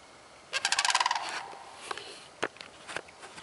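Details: Sandhill crane recorded on 30 March 2015: a loud rolling rattle of rapid, rich pulses lasting under a second, then scattered fainter clicks and brief calls trailing off.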